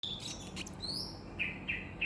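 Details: Caged common hill myna, a talking bird that says assalamualaikum and coughs like a human, giving short bright whistled notes, a rising whistle then three clipped high whistles near the end, over low room hum.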